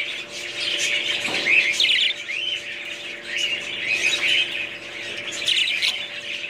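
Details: Budgerigars chattering with rapid twittering phrases and rising and falling whistled notes, with one brief low thump, over a steady soft hum.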